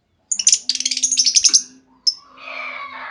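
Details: Female lovebird lure call for drawing out long trilling: an extended run of rapid shrill chattering notes, then a single sharp chirp over a soft background hum.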